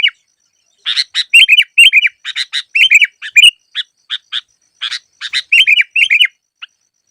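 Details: Sooty-headed bulbul recorded as a training and lure track for trapping. Bursts of short, bright chirps alternate with bubbly, slurred warbled notes, delivered in quick uneven clusters after a brief pause near the start.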